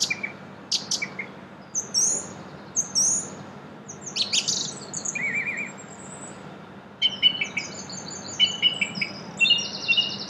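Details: Song thrush in spring song in Brussels, Belgium, April: bursts of clear whistles, chirps and rapid repeated notes, each phrase separated by short gaps, with a faint background hum.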